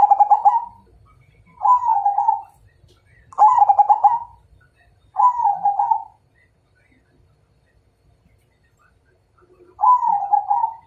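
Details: Majapahit zebra dove challenging to fight: five stuttering and rolling coo phrases in quick succession, alternating pulsed and smoother forms, with a pause before the last.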